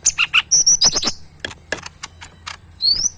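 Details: Caged tame cucak mini leafbird in lively song: fast high chirps and slurred whistles, a lull of ticking clicks, then a long high rising whistle near the end.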